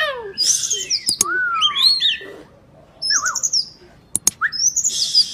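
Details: Varied oriental magpie-robin song, played to stimulate quiet birds to sing: long sweeping whistles, a descending slur, rapid twittering phrases and sharp clicks, delivered in energetic bursts with a brief silence midway.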